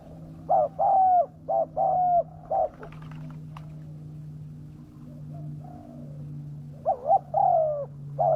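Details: Spotted dove lure call aimed at attracting wild birds. Several short-long coo pairs come at the start, then a quieter stretch with faint distant coos, then more loud coos near the end, over a steady low hum.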